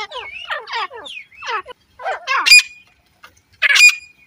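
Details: Female grey francolin calling: harsh, chattering grating notes in uneven bursts, some phrases ending in loud, strident screeches, with short silent gaps between groups.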